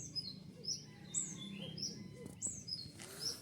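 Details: Newly caught male Javan white-eye, tame-training and learning sounds: high, piercing, downward-slurred chirps in loose pairs and singles, over steady low hum with a few faint clicks.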